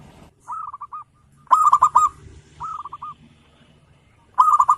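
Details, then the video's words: Local zebra dove singing vigorously to provoke rivals: bursts of rapid bubbling coos, each a short staccato run of about five notes, repeated four times with brief pauses, the louder phrases rich and ringing, over a low background hum. "Perkutut lokal gacor,suara full bocor memancing emosi lawan"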